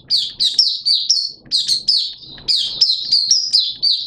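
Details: High, thin twittering song of a Malaysian Oriental white-eye, a kept bird singing openly: rapid chains of bright chirps grouped in bursts roughly every half second, with faint low clicks beneath.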